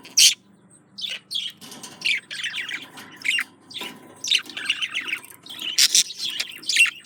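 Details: Courting male budgerigar directing song at a female, a loud squawk followed by steady rapid warbling chatter of buzzy, scratchy notes and squeaks.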